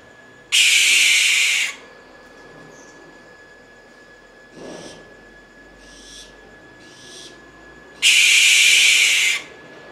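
American barn owl giving two long, harsh, hissing screeches about seven seconds apart, with softer breathy hisses between and a faint steady high tone behind.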